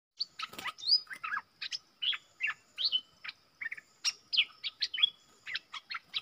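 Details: Wild bulbul counter-singing against a caged lure bird in southern Thailand, answering with a big voice while keeping away from the cage: a rapid, busy run of short chirps and whistled notes, some slurred down, packed closely without pause.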